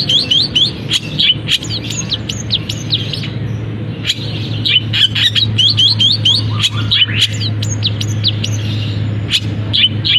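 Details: Caged long-tailed shrike giving a mimicking song with canary-like notes: quick bursts of paired chirps and sharp clicks in loose series, over a steady low mechanical hum.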